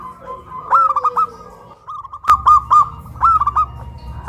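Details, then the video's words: Local zebra doves in Kuningan, West Java, Indonesia, caged birds hoisted up a pole, a big-voiced bird against a crystal-voiced one, cooing loudly: two bursts of four or five quick, clear arched coos, with a low hum beneath. "PERKUTUT LOKAL SUARA BESAR VS SUARA KRISTAL"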